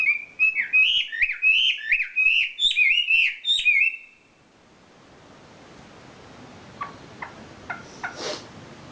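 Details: Champion wambi bird in song: a fast series of looping whistled phrases for about four seconds, then hissing background noise with a few faint, sharp ticks near the end.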